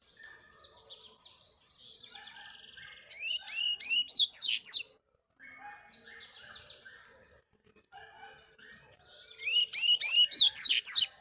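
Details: Tournament double-collared seedeater trained in the bush. Soft twittering phrases swell into bursts of loud, rapid, sharply slurred notes, break off into silence, then return, with a final strong, fast burst.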